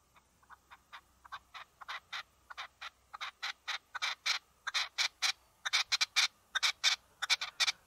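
A red-legged partridge gives harsh, chuffing notes that start soft and spaced, then grow louder and faster into paired chuck-chuck bursts over eight seconds.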